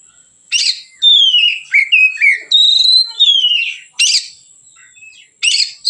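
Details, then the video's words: Relaxed, open-voiced song of a white-rumped shama, used as a lure to train other birds: clear whistled phrases slurring down from high to mid pitch, broken by short harsh bursts, with a thin steady high tone throughout. "suara Kacer ngeplong santai, pancingan / masteran Kacer"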